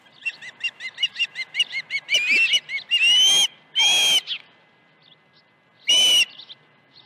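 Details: Osprey at its nest at Dunrovin Ranch on the morning of 21 August 2019, when two fish arrived at 7:05 and 7:31 AM. A quick run of clear whistled chirps gives way to three loud, drawn-out harsh squealing calls with gaps between them.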